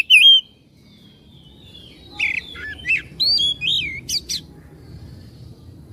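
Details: White-rumped shama song used to rouse a caged bird to sing and spread its tail: one loud whistle, then a short group of softer slurred whistles and chips over steady low background noise.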